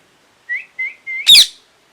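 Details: Three short clear whistled notes from a parrot, each slightly rising, followed at once by one loud, grating screech.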